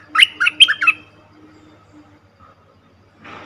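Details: Lure call of a cream-vented bulbul for trapping: a fast bubbling run of five liquid, chirping notes within a second, followed by quiet and then a brief burst of rustling noise.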